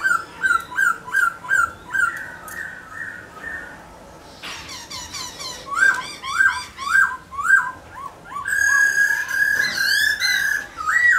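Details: Captive black-throated laughingthrush dancing and singing; a quick series of short whistled phrases, a pause, more looping whistles, then a long dense stretch of high twittering over a sustained whistle, recorded indoors.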